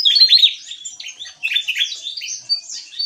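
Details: Javan tesia delivering energetic gacor ngeplong song, a brief burst of quick, high, piercing notes, downward slurs and trills, loudest at the start and again at 1.5 seconds.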